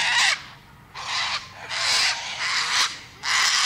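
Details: Loud cockatoo screeches, four harsh rasping blasts separated by brief quieter gaps, each call broad and piercing.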